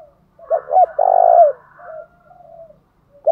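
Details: Spotted dove call for provoking song: two quick hooked coos followed by a long rolling, slightly falling coo, then softer trailing coos, low and mellow.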